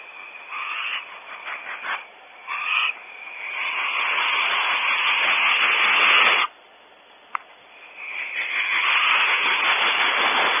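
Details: Barn owls at their nest cavity on a ranch in California, reacting to an unwelcome visitor: a series of short rasping screeches, then long loud hissing screeches lasting several seconds, a brief pause with a click, then more harsh hissing.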